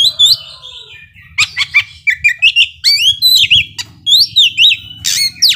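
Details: Excited Oriental magpie-robin song aimed at rousing slow-tempered rival birds: clear whistles, rapid clicking bursts and curling slurred phrases, with a low steady hum in the background.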